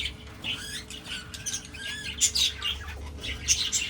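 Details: Budgerigars kept for breeding give bright, squeaky chirps and short squawks that overlap in busy chatter. A steady low hum runs underneath.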